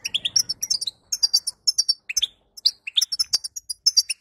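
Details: Babbling 'batbata' of a female European goldfinch, used to push a male to sing after moult: busy high twitters mixed with short rising notes in rhythmic clusters, and one sharp click.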